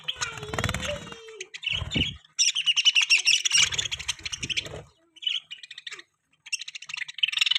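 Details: Budgerigar chirping: dense bursts of bright, scratchy chatter and short tweets in quick runs, broken by brief pauses, with low rumbling background noise and a faint voice-like hum near the start.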